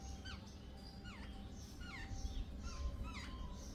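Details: A gang of jungle babblers gives sharp, squeaky calls that drop quickly in pitch. The notes come in loose bursts about every second, with a faint steady tone and low background hum.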